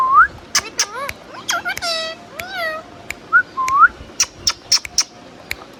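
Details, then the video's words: Indian ringneck parakeet producing clear upward-sliding whistles and harmonic chirps, some falling, mixed with sharp clicky notes; several short rising whistles near the middle, then a rapid series of high ticks. "Beautiful Ringneck Parrot Talking | Natural Talking & Chirping Sounds in HD"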